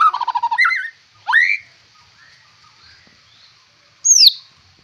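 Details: White-rumped shama with a fierce look and rich fighter song fill; a quick stuttering trill slides into a warbled phrase, then a sharp rising whistle, a long quiet gap, and a final high swooping note.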